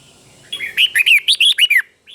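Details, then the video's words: Red-whiskered bulbul teacher bird in a cage, giving a clear doubled song phrase. Eight quick, liquid whistled notes follow one another evenly, each bending downward, then a soft final note after a short pause. "เสียงนกกรงหัวจุก | สุดยอดนกครู เบิ้ลชัดๆ เบิ้ลเป็นคู่ๆ เสียงกระตุ้นนกรงหัวจุกเสียงนกครู chao mao"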